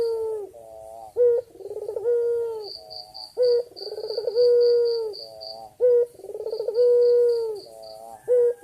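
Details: Male white ringneck dove calling to a female in an energetic series. Each phrase starts with a clipped note and rolls into a vibrating low coo ending in a long level tone. Phrases repeat steadily, with a high pulsed beeping overhead.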